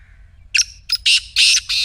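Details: Loud, harsh black francolin call meant to start a silent partridge calling: a short rasp, a sharp tick, then three broad grating bursts in a rapid rolling rhythm, with a faint thin tone beforehand.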